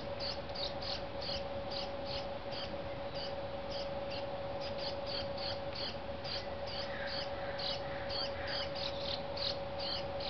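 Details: Juvenile brown-headed cowbird being fed by a dark-eyed junco: short, high chip notes repeated about two to three times a second, steady throughout, over a constant low electrical-sounding hum.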